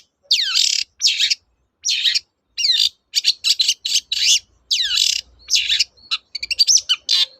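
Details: Long-tailed shrike in energetic 'toet-toet' song, meant to rouse silent shrikes; long varied phrases of sweeping, whistled and scratchy notes, ending in a burst of rapid trills.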